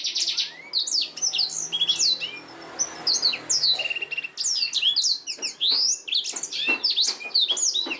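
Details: Black-throated canary song used as a master recording for training canaries: a dense, continuous stream of high twittering trills, rapid chirps and sweeping whistles, with short buzzy runs and no pauses.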